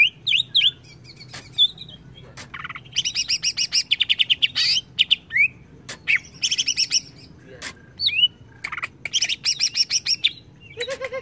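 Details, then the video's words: Greater green leafbird song used as an agitating lure: varied whistled phrases interleaved with long bouts of rapid, bright chattering notes, some lower buzzy elements near the end. "PANCING CUCAK IJO JADI EMOSI"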